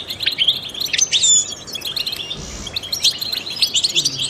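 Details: Trained European goldfinch song for stimulating other songbirds: a lively jumble of high twitters and thin whistled slurs, with a softer dip midway before the chirping picks up again.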